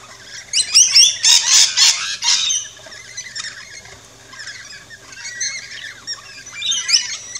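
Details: Rainbow lorikeets chirping and squawking at an Australian backyard feeding station: a dense flurry of shrill, scratchy notes for two seconds, then softer chatter and a final burst.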